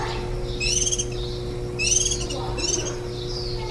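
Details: Warbling white-eye at the nest, recorded 23 July 2018 on day 10 of chick-rearing, one day before fledging: three short bursts of thin, high, quavering chatter about a second apart, over a steady low electrical hum.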